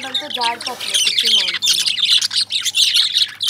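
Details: Lovebirds chirping: dense, scratchy high chirps and squawks overlap continuously, with a lower harmonic squawk or voice-like sound near the start and a steady low hum beneath.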